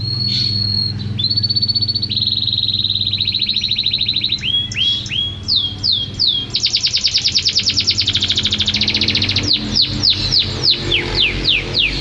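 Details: Champion canary in full, persistent song: sustained whistles, then bursts of fast repeated notes and rolling trills, followed by a run of steeply falling notes, with a constant low hum beneath.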